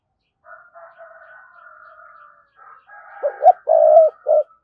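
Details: Spotted dove gáy gọi bổi, calling a wild rival: soft murmuring coos first, then a loud burst of stuttered notes, a long croo and a final short coo near the end.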